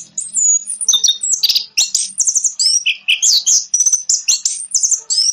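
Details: Song of an orange-headed thrush, offered as a lure to restart singing in a quiet bird: continuous high, sweet whistles mixed with chirps and rapid twittering trills, with a faint low hum underneath.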